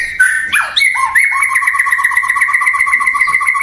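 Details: White-rumped shama, a popular cage bird, singing loud and clear: a few varied sweeping notes, then a long rapid trill of paired whistled notes repeated steadily near two pitches for several seconds.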